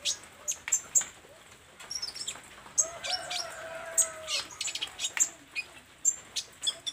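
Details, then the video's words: Olive-backed sunbird in vigorous song, running through its varied notes: scattered piercing high chips and brief twittering phrases, with a soft low drawn-out tone in the background. "SUARA BURUNG KOLIBRI NINJA GACOR , BELAJAR BONGKAR ISIAN"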